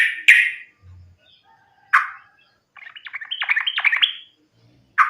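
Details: Sooty-headed bulbul giving a fighting song, used as a lure to make other bulbuls sing: loud harsh bursts, then a rapid run of bubbly, warbled notes near 2–4k, ending with another harsh note.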